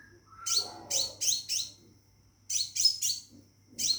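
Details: Caged Scarlet minivet calling a female: two short clusters of three or four high, sweet notes that each drop in pitch, separated by a second of near silence.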